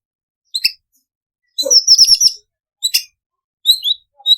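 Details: White-rumped shama, an imported bird in full song, used to stimulate other shamas: short isolated bursts of bright chirps and a rapid trilled rattle, separated by clean silences.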